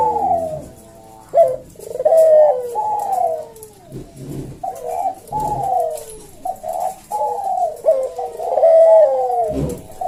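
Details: Collared dove (puter) in a cage, singing slow 'senggang' kuk-deruk coos for tutoring other birds. Low, soft coos crowd together and overlap with barely a pause, and short clipped notes cut in between the longer drawn-out phrases.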